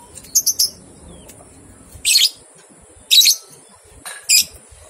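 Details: Lovebird chatter from a training recording meant to get two-month-old young lovebirds to ngekek: a quick stuttered triplet of high notes, then three harsh shrill bursts spaced about a second apart.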